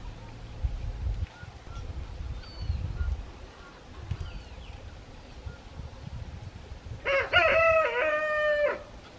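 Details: On a quiet farm with animals in the pasture, a rooster gives a loud, harmonic cock-a-doodle-doo crow after a quiet stretch of faint chirps and rumble.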